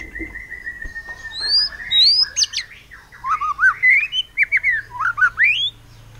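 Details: White-rumped shama from Cililin, Indonesia, kept as a songbird to spur other birds into full song: a varied phrase of sweeping whistles, a steady opening tone, then looping rising and falling notes with quick jumps in pitch.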